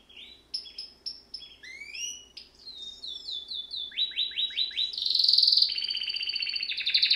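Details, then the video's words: Singing canary: spaced single chirps and upward-sweeping whistles, then a series of rapid falling sweeps repeated about twice a second, building into loud buzzy high trills. "Canary bird Singing"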